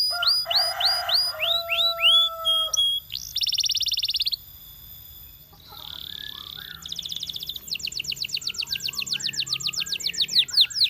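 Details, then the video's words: Singing canary from a champion line: looping whistled notes over a soft warble, a bright buzzy rattle, a short lull, then chattering notes leading into a long, very fast even trill. "The Ultimate Canary Singing Video From a Champion"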